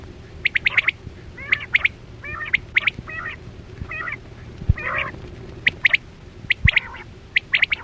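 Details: Chora batera quail sound used as a hunting lure: sharp high note clusters alternating with buzzier, layered calls, fairly steady pace, a few clicks and low hum beneath.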